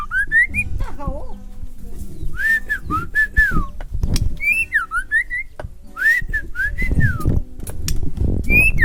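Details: Half-trained white-rumped shama from Kalimantan whistling loud, looping phrases that bend up and down, several in quick succession with brief gaps, against steady low-pitched background noise and faint clatter.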